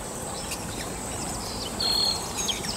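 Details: Common moorhen young, already fairly grown, calling their parent with a few thin, very high peeps near the end, over a steady high insect-like hum and soft background noise.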